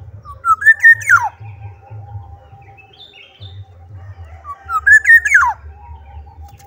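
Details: Black-naped oriole in full voice, giving the same fluting phrase twice about four seconds apart, each rising in whistled steps and ending in a quick downward slur, with a low background hum.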